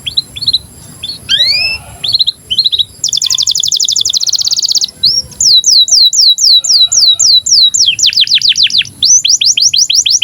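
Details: Canary in breeding condition singing as a training model for young canaries: scattered chirps and a rising whistle, then a long buzzing trill and fast series of swept notes repeated several times a second.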